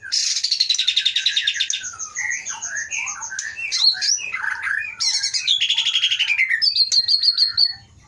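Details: Wild-caught white-rumped shama from Pining in Aceh's Leuser mountains, taken 2010–2011, tail 22 cm, praised for powerful volume and rich song rhythm; loud, varied high whistles, descending slurred phrases and rapid chattering trills.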